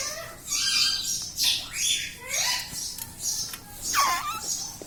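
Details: Pet ringneck parrot kept indoors, taught to say words such as mummy and papa; several hoarse, squawky phrases rise and fall at two to four second intervals over a faint hiss.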